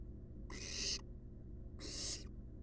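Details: Wild barn owl nestlings resting in a research nest box: two rasping hiss-like screeches, each about half a second long, over a constant low electrical hum.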